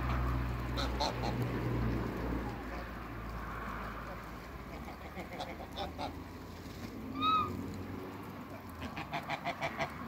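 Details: Backyard flock of Toulouse and African geese, with their hybrid offspring: a single clear nasal honk rises out of a steady rumble of background noise, followed by a quick series of short clucking notes near the end.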